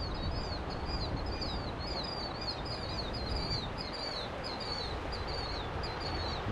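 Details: Killdeer calling beside the South Platte River in Colorado during a riverside walk toward Denver: a series of thin, high, downslurred notes repeated steadily over loud broadband wind and ambient noise.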